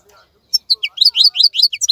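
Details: Caged European goldfinch during moult season: a short burst of high, bright twittering notes that quicken after a brief quiet start.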